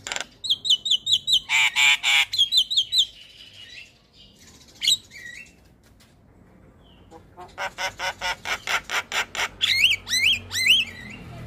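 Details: Javan myna giving a morning call that gets other mynas to respond: a quick row of paired high chirps and harsh bursts, a pause, then a rapid rattling series ending in rising whistled notes.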